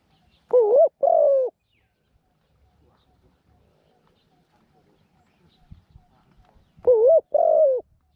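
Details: Spotted dove kept as a decoy bird to lure wild doves into a trap cage, said to have a small voice and to coo well; two loud mellow bursts, each a wavering double hoot, about six seconds apart with near silence between.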